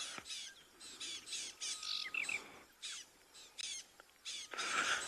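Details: Fork-tailed Drongo at sunrise on safari, 21 February 2022, perched at a tree edge giving alarm calls that antelope trust as a warning of danger: harsh, rasping notes repeated several times a second in uneven bursts, faint whistle and softer chirps beneath.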